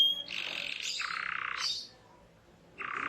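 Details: Canary singing: dense, buzzy rolling trills that shift between higher and lower pitches, a brief pause, then another low trill begins.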